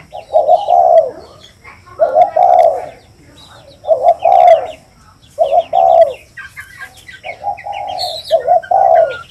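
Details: Steady cooing of a spotted dove, soft double-then-long phrases repeated roughly every two seconds, over a busy background of twittering songbirds.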